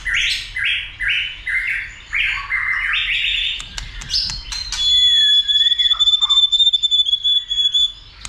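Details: Excited White-rumped shama stimulated to sing many notes and fight: a string of repeated stepped phrases, then a long steady pure whistle over softer chattering notes.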